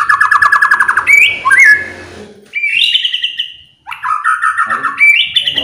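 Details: Song of a white-rumped shama used to stir other birds: a rapid rattling trill, sharp high slurs, a pause, then rich trilled phrases that fall and then rise again.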